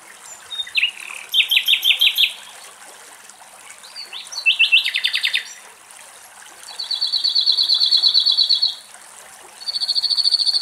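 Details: Two song thrushes squabbling over drinking water, the more aggressive driving the other off: bright, high rapid trills and repeated note bursts, each phrase one to two seconds, separated by short pauses over faint background hiss.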